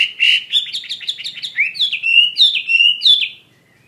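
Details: Chinese hwamei singing a quick burst of stuttered whistles, then a sequence of loud rising-and-falling whistled phrases, each about a third of a second long.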